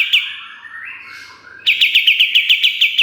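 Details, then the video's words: Pied triller song recorded as training material for songbirds: a faint buzzy stretch, then a bright, rapid string of repeated sharp chirps. "Masteran Kapas Tembak Gacor Nembak Isian Tajam Full"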